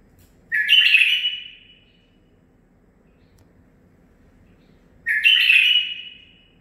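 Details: Nine-month-old male bulbul kept indoors, trained on Zilzal-style song phrases, gives two brief bright bursts of slurred, rich warbled notes, each about a second long, spaced roughly four seconds apart in a quiet room.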